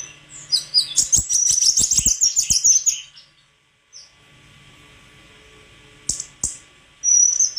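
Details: Rapid, high-pitched twittering song of a white-throated flycatcher, a dense run of quick chirps for about two seconds, then quiet and a few sharp notes followed by a thin whistle.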